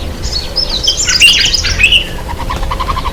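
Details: White-bellied sunbird taking a bath; a loud, dense burst of high, scratchy twittering chirps and rapid jumbled notes, ending in a softer series of lower, evenly spaced pips.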